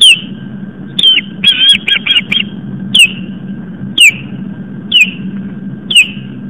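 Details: Female osprey on a live-cam nest in Long Island, New York, chasing an intruder away in the evening: loud downslurred whistles roughly once a second, with a quick cluster of clipped notes early on, faint hum behind.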